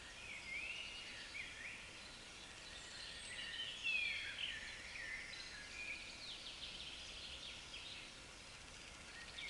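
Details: Mallard (Anas platyrhynchos) ducklings with their mother on the River Werse, Münster, Germany, in April 2014, give a steady stream of thin, high peeps, several each second, over soft outdoor hiss.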